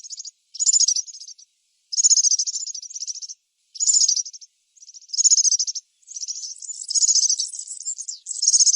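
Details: A European serin in the wild sings very high, fast, jingling phrases with a buzzy, crackling quality, each burst about a second long, delivered almost without pause.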